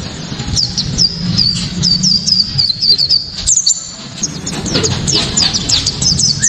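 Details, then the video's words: Sharp, ringing 'tembakan' song of a white-eye, used as a lure to make other white-eyes sing and to tutor songbirds. Steady series of short, very high downslurred chirps, with a louder tumbling passage midway and a low rumble underneath. "Pleci kaca mata‼️tembakan‼️"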